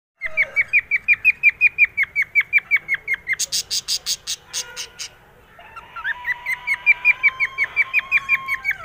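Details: Pet cockatiel in a happy mood whistling a fast run of short, clear, down-slurred notes, nearly three per second, broken by a brief noisy burst before the whistled series resumes over a soft lower tone.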